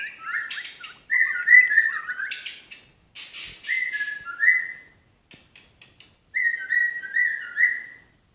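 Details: White-rumped shama of the Medan type, known as murai batu, singing tembakan: clear whistled notes in short stepped runs, with bursts of harsher chatter between the phrases.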